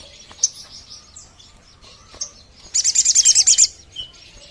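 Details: Sogon bird sound played to lure sogon birds: a few scattered thin chirps, then a fast burst of about nine sharp, high chips at roughly ten per second.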